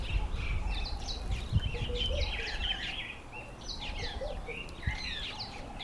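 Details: Female mountain chat, a bird also known as Bergwagter or Khaloti, uttering quick twittering notes that rise and fall in clustered bursts, with steady low background noise.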